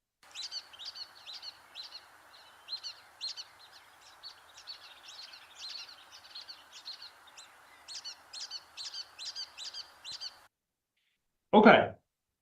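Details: A Brown-headed Nuthatch gives fast, high, squeaky-toy notes in two-note "we do" and three-note "potato" groups, repeated steadily for ten seconds, with a sharp thump after.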